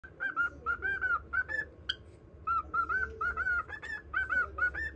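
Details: Pet cockatiel whistling a tune to a budgerigar: a chain of clear, slightly bending whistled notes, with short pauses between phrases, over a low steady hum.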